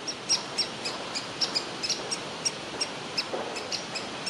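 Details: Young woodpecker in a tree cavity asking to be fed; quick, thin, high chips in an uneven stream, set against steady background hiss.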